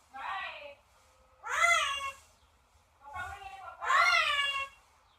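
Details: Pet parrot calling indoors: four drawn-out, meow-like harmonic notes, each rising then falling, in two pairs about a second apart, with a faint low hum beneath.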